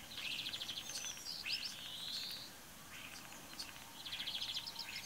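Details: Spring morning near Braziūkai, Kaunas district, Lithuania, 8 April 2018: a common starling sings pulsed rattling phrases and a long rising whistle, pauses briefly, then resumes with more buzzy rattles.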